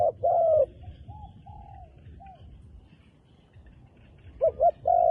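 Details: Wild dove with dark plumage: a loud low coo opens, fainter distant coos follow, then a new phrase of short hoots and a long coo closes, over a low background rumble.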